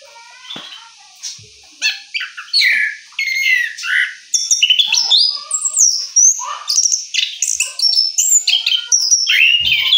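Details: After moulting, an orange-headed thrush rolls out its song: a quiet opening, then a dense stream of varied whistles, rising and falling slurs and scratchy notes building toward the end, with a few knocks.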